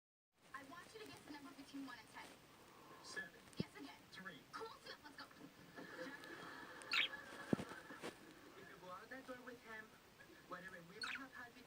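Budgerigars chatter in a steady stream of warbled, scratchy notes, with a few sharp clicks.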